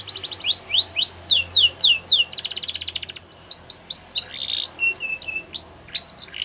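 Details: Belgian canary singing a training song for young canaries: fast series of downslurred whistled notes around the high range, broken by a buzzy rattling trill and sharp flat chirps, continuous and varied.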